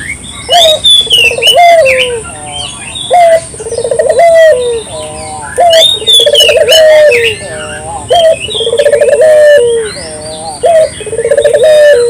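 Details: Local dove recorded as a lure: repeated phrases of a sharp opening note, a bubbling rolling trill and a long falling coo, about every two seconds, while other birds chirp above.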